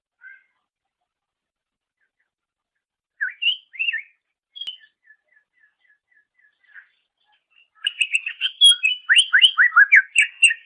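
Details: Greater green leafbird song used as a master recording for training songbirds: a few sparse whistled notes and a thin ticking series, then a dense burst of varied chirps and slurred whistles near the end.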